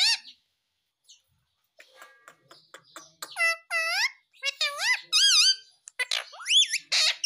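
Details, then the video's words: Indian ringneck parakeet kept indoors, mimicking words like "mummy papa": scattered soft clicks, then loud harmonic rising-and-falling vocal syllables in quick bursts, voice-like but shrill, in a small room. "Parrot Speaking Mummy Papa || Talking Parrot || Mitthu mummy papa bolne wala"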